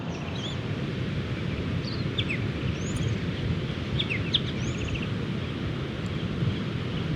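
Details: Many wild Striated Pardalotes flying about and play fighting near their nesting burrows in beach dunes, Mid-North Coast of New South Wales, Australia, in the morning. Short, sharp, falling chip notes are scattered through the clip over a heavy, steady roar of surf.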